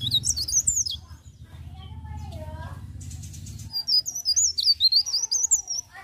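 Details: Leaf warbler singing continuously in the morning: high, thin, rapid twittering phrases that rise and fall in two bursts, with a faint low rumble and a brief voice-like sound underneath.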